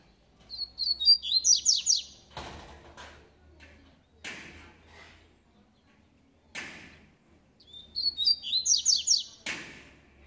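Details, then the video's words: Double-collared seedeater (coleiro) singing in the tui tui style, described as a spirited bird: two bursts of rapid, high, sharp whistled notes about seven seconds apart, with loud dull knocks and thumps in between. "COLEIRO TUI TUI"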